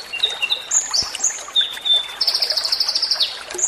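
Common Iora song: high, clear whistled notes at varied pitches, then a fast, even trill lasting about a second, over a soft background hiss.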